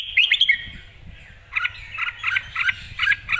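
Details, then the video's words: Excited Red-whiskered bulbul in full, clear voice: a brief bright warble, then a pause, then a string of short doubled chirps spaced about a quarter second apart over faint low rumble. "นกกรงหัวจุก ร้องชัดจัดเต็ม"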